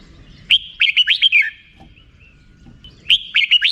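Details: Rik-style song of a red-whiskered bulbul: a short burst of quick, sweet, chopped notes ending in a lower slur. A second phrase starts about two and a half seconds later over faint low noise.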